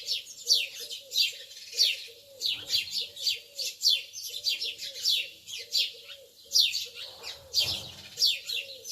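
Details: Lovebirds early in the morning: dense bursts of shrill, high, downward-sweeping chirps tumbling over one another, with a faint lower murmuring note running beneath much of the stretch.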